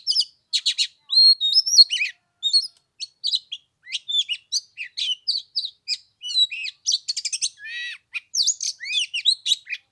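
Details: Oriental magpie-robin on the third day of Tet, in a 15-degree chill, delivering a long run of crisp, high whistles, upslurred notes and clicky chatter in quick succession, scarcely pausing.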